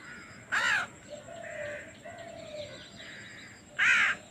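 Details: Baby crow begging hungrily at feeding time, giving two loud rasping caws roughly three seconds apart, with softer tonal calls from other birds and faint chatter in between.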